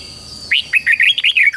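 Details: Red-whiskered bulbul singing a morning fighting song meant to spur young birds: a lively phrase of about seven quick, looping, rising-and-falling warbled notes delivered in just over one second.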